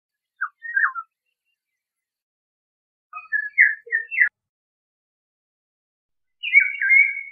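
Eurasian golden oriole giving three short, rich fluted phrases, each under a second and spaced a few seconds apart, in a quiet background.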